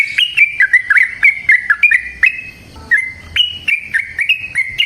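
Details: Yellow-vented bulbul singing a long, busy song to stir other birds into singing: quick, bubbly whistled notes warble up and down, pause briefly, then resume in a second rapid run.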